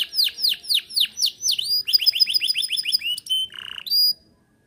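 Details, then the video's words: Vigorous canary song for prompting young or silent canaries. Loud descending swoops repeat about every quarter second, give way to quicker clipped notes, then a nasal buzzy note and one last loud whistle. "Kenari gacor cocok pancing burung bahan & macet bunyi"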